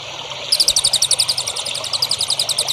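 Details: Songbird training recording for young contest birds: after a brief thin high tone, a burst of rapid, sharp, high-pitched chirps begins and continues evenly to the end.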